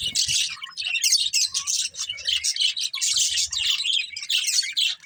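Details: Budgies playing together: bursts of high, scratchy chirping chatter roughly every half second, several birds overlapping, soft low bumps in the background.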